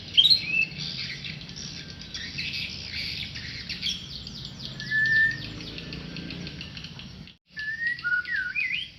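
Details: Tame white-rumped shama singing scattered clear whistles: a high note at the start, a level whistle midway, and a short run of sliding notes after a brief silence, with steady twittering around.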